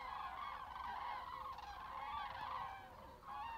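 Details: Common cranes migrating north in a flock on a February evening, 17:15 local time; dense, overlapping bugling calls rise and fall together, with a short dip near the end.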